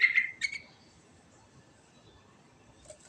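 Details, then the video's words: Sooty-headed bulbul singing in the rolling ngerol style with rich fill notes: a quick burst of bubbly, slightly buzzy notes around the start, then near quiet with faint background hiss and a soft note near the end. "Suara Burung Trucukan Ngerol Isian Mewah Paling Cepat Bikin Nyaut"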